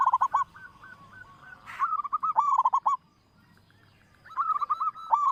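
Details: Local zebra dove, prized for its loud voice and played to prompt others to sing: staccato runs of low hooked coos, a brief silence, then another quick rolling burst.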